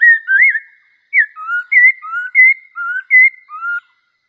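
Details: Bulbul singing a string of clear whistled phrases, short rising and falling notes swinging between low and higher pitches in a lively, uneven rhythm, with a brief pause after the first phrase.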